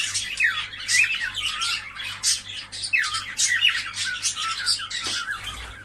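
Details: A flock of cockatiels, played to stimulate breeding, gives nonstop grating squawks and chirps with occasional looping whistled notes and a faint low thump near the end.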